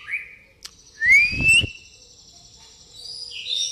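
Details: White-rumped shama, pastol style with mimicked fighting sparrow notes; a short whistle, then a bright rising whistled sweep with a chattering burst, followed by faint high tones.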